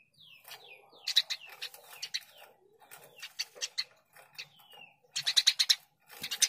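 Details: Eurasian tree sparrows in lively full song, recorded as a training tape for other birds: bursts of loud, bright chirps, several in quick succession every second or so, mixed with thin falling whistles, likely from more than one bird.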